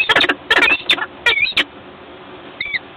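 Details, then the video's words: A pair of wild peregrine falcons at the Lotos site in Gdańsk meet briefly in the morning, giving harsh, rasping chattering calls in quick bursts, then a pause and a short thin whining note. "Poranne , krótkie spotkanie Skierki i Gryfa ~ Sokoły wędrowne"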